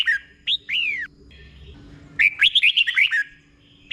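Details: Caged-style red-whiskered bulbul song of the slow, clear doubled 'beul' type for learning: two short falling whistled notes, a pause, then a rapid run of chirpy up-and-down whistles.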